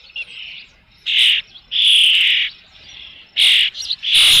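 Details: At Dunrovin Ranch on 3 June 2018, about 5 pm, an Osprey with a fish at the nest utters long, high, piercing whistled cries, separated by quieter thin whistles.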